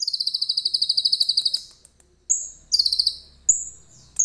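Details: Common iora delivering cililin-like phrases, phone recording: a long, even string of rapid high notes for about one and a half seconds, then thin whistles and a short buzzy trill.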